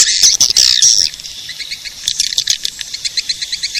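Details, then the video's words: Edible-nest swiftlet sound played to attract swiftlets: an opening loud buzzy chatter gives way to quick, evenly spaced high chirps about four per second. "Suara pemanggil burung walet"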